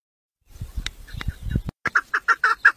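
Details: Tame village female chukar partridge, a decoy 'mari' hen kept for hunting, calling to attract males: after a stretch of low rustling and handling noise, a short run of about six clipped, evenly spaced chuk notes.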